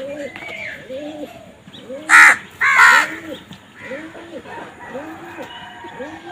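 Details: Crow giving two loud, harsh caws close together, set against a steady background of low, arched cooing calls repeated about once a second.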